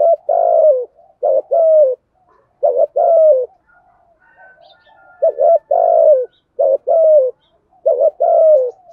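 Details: Spotted dove giving a thúc gù coo in the deep giọng thổ voice, rút bổi style: low hooting phrases in bursts of two or three notes, the last drawn out and falling, repeated every few seconds with soft quieter coos between.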